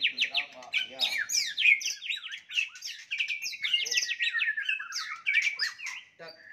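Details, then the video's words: Caged White-rumped shama giving a fighting song meant to provoke rivals: dense, fast stream of varied whistles, chirps and trills, ringing and continuous with few pauses. "OTOMATIS NGAMUK murai batu tarung ampuh untuk menaikan emosi"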